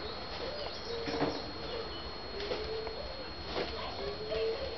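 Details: Satyr tragopan during frontal courtship display: low hooting notes rising slightly in pitch, each about half a second long, repeated roughly three times over a few seconds, with faint background noise.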